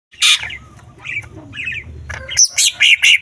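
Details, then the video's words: Green leafbird, a male from Kalimantan, singing to provoke other leafbirds: varied chirps and short buzzy phrases, separated by quiet gaps, ending in a run of loud sharp notes with low hum behind. "Cucak Ijo Full Isian Burung Kecil Gacor Menaikan Emosi Cucak Ijo Lain"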